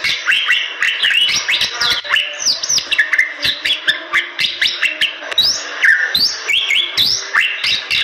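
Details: Bali myna, endemic to the forests of western Bali, pouring out a rapid varied song of slurred whistles and chattering notes at shifting pitch, with frequent sharp clicks.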